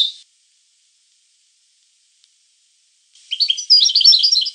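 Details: European goldfinch: a brief note, a long silence, then a phrase of lively tinkling, slurred twittering song.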